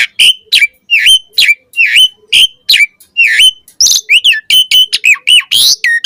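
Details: Energetic morning song of an Asian pied starling, used as a lure to get starlings singing. Dense, rapid whistles dipping and rising, repeated without pause, turning into a varied jumble of twisting notes toward the end.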